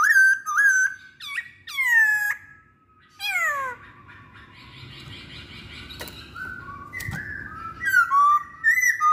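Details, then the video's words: Masked laughingthrush singing to set off other birds: whistled notes and sweeping slurs at the start, a quieter middle with short sharp notes, then renewed whistling. "Pancingan Poksay Hongkong"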